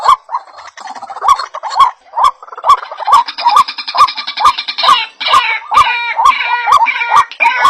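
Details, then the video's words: White-breasted waterhen calls played as a bird-luring recording: a loud, rhythmic series of harsh croaking notes repeated about twice a second, with sharp clicks between them and a rising buzzy, layered chorus in the second half. "SUARA BURUNG RUAK2"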